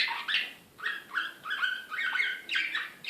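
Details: Excited canary of the Slavujar type, Belgrade, Serbia, 2016, giving short bursts of rising and falling whistled slurs, each about half a second long, separated by brief pauses.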